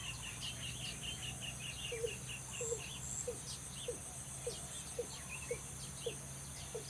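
A Watercock gives low, hollow notes about twice a second, over busy high chirping from other birds and a steady insect hum.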